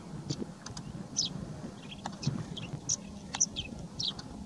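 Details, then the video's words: Male Yellow-throated Sparrow calling during courtship season, 23 February 2022, Jorbeer Conservation Reserve, Bikaner, Rajasthan, India: brief, high chirps in an irregular scatter, several a second at times, over steady low traffic rumble. "Yellow throated Sparrow : male calling"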